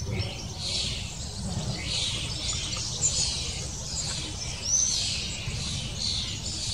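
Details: Long-tailed tit (Aegithalos caudatus) nest with chicks close to fledging while parents busily bring food; rhythmic bursts of high, hissy, buzzy calls with a couple of thin sharp chirps, over a steady low rumble.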